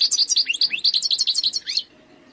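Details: European goldfinch, wild, pouring out a rapid, bubbling twitter of high lilting notes for almost two seconds before falling silent.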